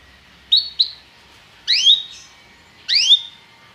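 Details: Belgian canary uttering short song fragments: two quick clipped chirps followed by two longer, richer upward-sweeping slurred notes spaced about a second apart.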